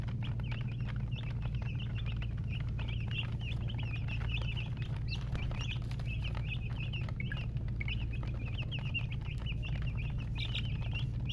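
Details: A flock of chicken chicks keeps up continuous shrill cheeping, brief up-and-down notes crowding together for the whole stretch, over a constant low hum.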